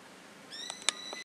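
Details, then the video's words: A bird shouting in a yard: one steady, high, whistled note with bright overtones, held for under a second, overlaid by a few sharp clicks near its middle and end. "A bird shouting in our yard"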